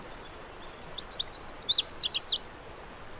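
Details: Bright Lazuli bunting (Passerina amoena) song: a series of high slurred notes, some doubled, sweeping up and down in a varied two-second phrase, with light hiss behind.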